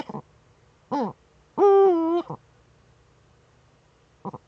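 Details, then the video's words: Courting female Eurasian eagle-owl in its breeding niche, recorded by a nest camera in northern Rhineland-Palatinate, Germany, 10 May 2013: a few brief clipped notes around one sustained, even-pitched, nasal tonal call lasting under a second, otherwise quiet. "Uhu-Weibchen balzt in der Brutnische"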